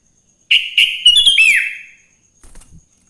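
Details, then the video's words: A single lively phrase from a wild sooty-headed bulbul in the morning, used to prompt others to sing: stuttering notes run into a bright falling slur, followed by a faint soft chatter. "Suara Burung kutilang GACOR di Pagi hari‼️ Joss Buat Pancingan Kutilang Bahan Agar Cepat Bunyi"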